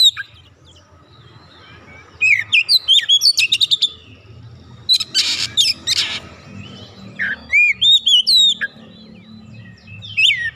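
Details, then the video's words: Oriental magpie-robin, an untrained bird promptly singing vigorously: a fast string of sharp whistled and ticking notes, a couple of harsh rasping bursts, then more looping whistles, with a low hum behind. "KACER bahan langsung ikutan gacor"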